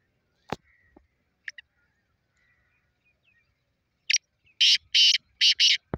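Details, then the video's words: Black francolin, 30 March 2024: after a sharp knock and a few soft ticks, a loud harsh series bursts out, one short clipped note followed by three long, rasping, buzzy notes in a steady rhythm. "kale teetar ki awaaz"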